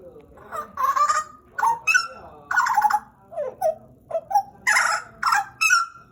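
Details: Pied butcherbird kept as a pet for about two years, singing loudly: a run of varied phrases mixing harsh, buzzy bursts with short fluted whistles, some rising and some falling, each lasting less than half a second.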